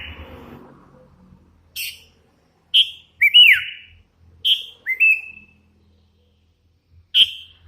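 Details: Hand-raised young sooty-headed bulbul in strong song: short clear whistles and swooping downward-slurred notes spaced a second or so apart, with light rumbling noise at the start.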